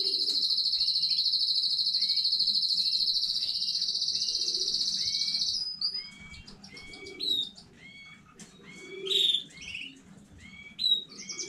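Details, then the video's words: Canary from a new home breeding, recorded 15 May 2019, delivering a long, rapid, buzzy high trill for about five seconds, then switching to separate upslurred chirps and short twittering phrases at irregular intervals. "KANARYA ÖTÜŞÜ YENİ ÜRETİM HANEDEN 15.05.2019 CANARY SINGING 4K"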